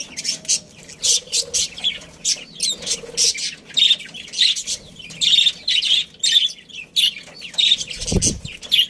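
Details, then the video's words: A budgerigar colony of breeding pairs gives short buzzy chirps in a regular pulse, about a hundred a minute, with occasional squeaky whistles and a soft knock near the end. "Cute Budgies Chirping Sounds"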